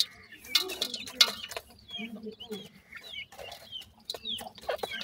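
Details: Baby partridge chicks calling: bright, high cheeps that slide down then up, given irregularly by several birds, mixed with thumps and rustling.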